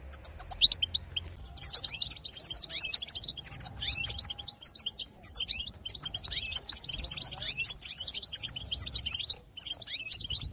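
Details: European goldfinch song to excite other goldfinches: dense, high, tinkling twittering phrases repeated every second or two, rich in fast chattering notes, with soft low background noise.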